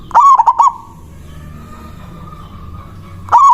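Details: Local zebra dove performing its manggung song to call a rival: one rapid, hoarse phrase of clipped cooing notes, a long pause filled by a soft steady tone, then the next phrase starting.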